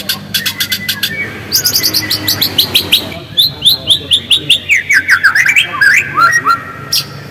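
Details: Singing white-rumped shama, played to draw other shamas into vigorous song: rapid strings of high metallic ticks, then a cascading series of sweet whistled notes descending and rising again, regularly pulsed, over a quiet background.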